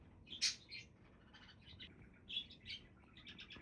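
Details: A budgerigar flock chirps and twitters: one loud sharp squeak opens, followed by softer warbling chatter and a bright note near the end, all over faint hiss.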